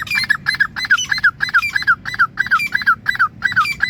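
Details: Grey francolin (teetar) calling in a rapid, regular series of loud, harsh, ringing notes with a squeaky edge, several per second, with faint low background rumble.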